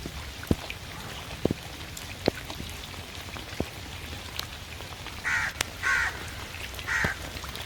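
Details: Crow calling in the rain: a long stretch of pattering drops and sharp drip clicks, then three rough, nasal caws near the end, each under half a second, spaced roughly a second apart.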